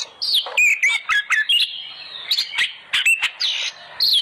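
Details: Lure song of an oriental magpie-robin meant to make other birds sing: crisp chips and loud clicks interleaved with twisting whistled slurs and a quieter trailing whistle.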